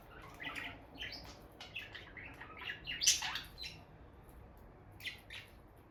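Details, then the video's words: A bonded pair of peach-faced lovebirds near their nest box, the female going in and out, giving bright, scratchy chirps in quick irregular bursts, with one louder shrill squawk in the middle, then a pause before two final chirps. "Parrot Chirping Sounds – Relaxing Lovebird Couple Vocalizations"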